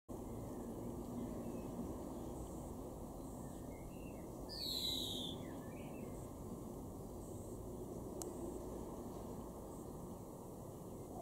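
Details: European greenfinch in a garden in Weener, East Frisia, northwest Germany, May 2021: a single drawn-out, buzzy, nasal wheeze falling in pitch, with a few faint short chirps around it over steady low background rumble.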